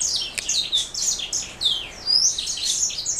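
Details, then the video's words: Black throat mule, a canary hybrid, giving a rapid stream of high chirps and downward-sweeping whistles, dense and unbroken. "Black throat mule"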